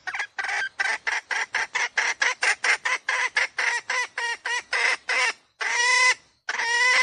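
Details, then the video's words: Hen lure call for trapping roosters: a long stream of quick, raspy cackling notes, ending with two longer drawn-out squawks. "Tiếng gà mái mồi 2022 chuẩn nhất để dụ bổi / tiếng gà mái chuẩn"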